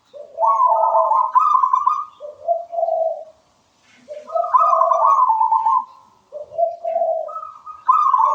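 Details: Sweet song of a local wild-origin zebra dove: phrases that rise from low purring notes into higher rolling trills, then drop back, repeated with brief pauses between.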